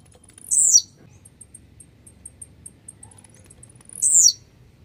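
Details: Blue-black grassquit, described as grumpy and fired up, gives two short buzzy high notes about 3.5 seconds apart. Each sweeps downward and is preceded by faint ticking clicks. A quiet low hum sits underneath.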